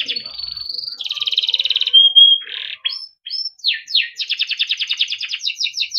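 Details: Timbrado canary singing training phrases: a rising whistle, a dense buzzy roll, a clear pure note, then rising sweeps and a long rapid trill.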